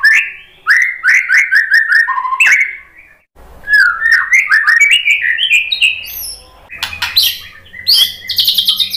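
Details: Song of a white-rumped shama used as a lure to provoke fighting males: fast chains of bright chirping whistles in two bursts, separated by a short pause, ending in harsher, buzzy high notes.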